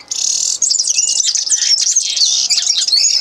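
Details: Common linnet singing a continuous, energetic twitter of high chirps, buzzy trills and short whistled slurs with hardly a break.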